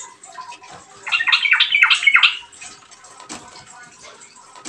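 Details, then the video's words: Yellow-vented bulbul singing a short burst of five or six gurgling, bubbly notes, followed by faint splashing and dripping sounds. "suara burung trucuk gacor Garuda pancingan trucukan agar bunyi dan ropel"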